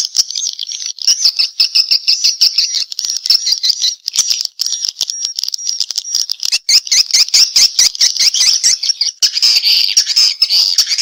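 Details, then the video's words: Swiftlet giving a response call, a sustained, high, trilling twitter broken into fast pulses, steady throughout with only brief gaps. "Suara Walet respon"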